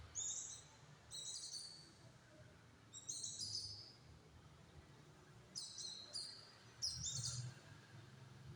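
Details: White-eye (pleci) with a tight, rapid song used as a master tutor for other birds: brief high, harsh twittering bursts repeated at irregular intervals amid steady low rumbling noise.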